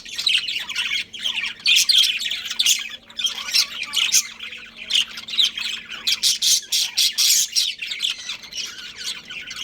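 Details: Domestic budgerigar pair chattering with raspy squawks and warbles, ending in a run of evenly spaced loud chirps, roughly three per second.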